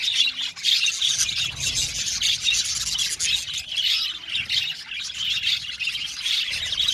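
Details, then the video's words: Australian budgies calling together in an aviary, an unbroken wall of shrill chirps, squawks and chattering warbles from many birds at once. "Beautiful Budgies chirping sound"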